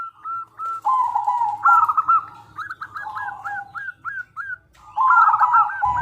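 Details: Zebra dove, a local bird singing often, its crystal-clear song played as a lure for other doves: fast stuttering coos, then a string of separate hooked notes about two per second, then another rapid burst.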